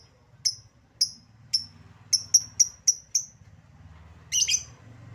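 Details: Lovebird lure recording, played to prompt silent lovebirds to start singing and respond quickly: a series of about eight sharp, high, clipped chirps spaced roughly half a second apart, then a short, harsher, rapid chattering burst, over a faint low hum.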